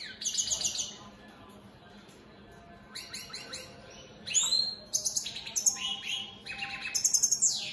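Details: European goldfinches, opal split Satane mutation, singing a varied twittering song; after a two-second pause come dense clusters of high chirps, buzzy rattles and falling slurred notes.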